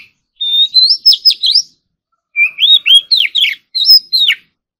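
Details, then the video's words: Oriental magpie-robin in morning singing practice, competition-style song: a long rising whistle into quick trills, a pause, then a phrase of bold swooping whistles ending on a falling note. "Kacer Gacor Full Isian Tembakan Mewah || choè than hót đấu"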